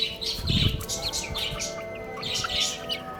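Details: Young chicks feeding and playing together produce rapid high cheeping notes in loose bursts, with a low thump near the start and a faint sustained tone behind them.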